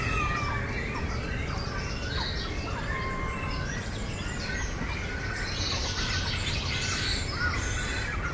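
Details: Great cormorant chicks being fed by both parents through regurgitation at a large breeding colony nesting in trees, Naardermeer nature reserve, Het Gooi, Netherlands. A dense, overlapping chorus of thin, high, squeaky calls runs throughout over a steady low rumble.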